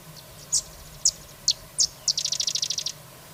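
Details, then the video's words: Carrizalero song of four spaced, sharp, very high chirps followed by a rapid, even trill of about a dozen quick notes, over soft low background hum. "El Carrizalero Las #aves del mundo su belleza y #canto"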